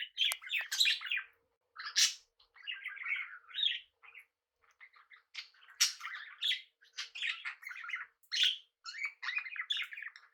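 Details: Budgerigars in a mixed pet flock with cockatiels keep up a continuous scratchy chattering warble of varied short notes, with occasional sharper high squawks throughout.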